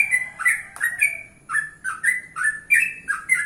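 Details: Yellow-vented bulbul singing in the morning in a natural setting, its song meant to draw replies from other bulbuls: a lively run of short, rising and falling whistled notes repeated almost without pause, with one sharp click near the start.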